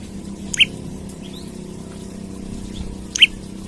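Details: Olive-backed tailorbird singing hard while seeking a rival, for luring and training other birds: two sharp rising chips about two and a half seconds apart, softer faint notes between, steady low hum.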